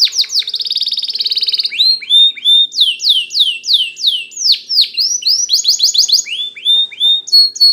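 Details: Spanish Timbrado canary singing as a training recording: a fast rolling trill followed by a long series of repeated downward-sweeping whistled notes and a brief rattle.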